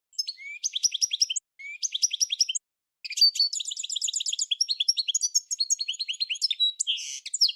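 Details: Goldfinch in full song: two short twittering phrases broken by brief pauses, then a long, continuous stream of fast, high, tinkling chirps, slurs and buzzy notes.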